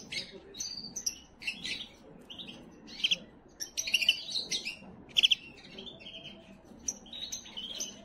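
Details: Canary song meant to prepare and excite females: a quiet, varied stream of high chirps, short rattling trills and brief held whistles, with a steady low background hiss.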